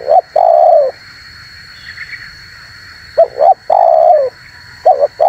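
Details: Calling spotted dove used to lure wild doves and provoke them. A long falling coo is followed by a pause, then a paired short note and another long coo, with a steady high hiss throughout.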